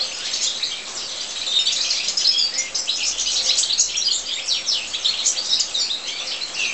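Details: European goldfinches in an aviary, steady high-pitched tinkling twitter with fast chirps crowding one another, rising in intensity around the middle, over a faint low rumble.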